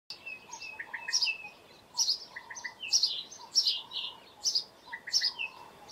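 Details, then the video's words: House sparrow calling with a steady series of bright, chirpy notes, about one burst every second, each a cluster of sharp chirps with a fainter lower twitter underneath; there is no other clear sound. "House Sparrow Call"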